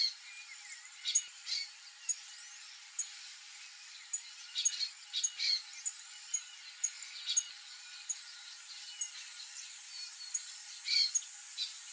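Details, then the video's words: A flock of young screaming cowbirds (Molothrus rufoaxillaris) gives short, sharp, high chips and squeaks at an irregular, overlapping pace, several calls a second at times, over a soft hiss. "SCREAMING COWBIRD flock of young"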